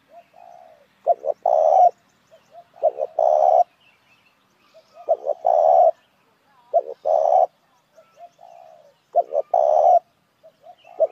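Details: Spotted dove lure call: soft descending murmurs, a few short sharp coos, then one long rasping coo, the pattern repeated four or five times at steady intervals in an otherwise silent setting.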